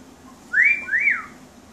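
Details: Pet yellow-naped amazon indoors calling for the kitten with two clear whistled notes. Each note rises, then slides down, and the second ends lower. A quiet room hum is in the background.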